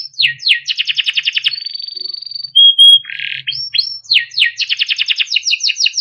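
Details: Timbrado canary song for training: falling sweeps and a pulsed trill, a thin sustained whistle, a loud flat tone and buzzy burst, then rising notes and another fast trill.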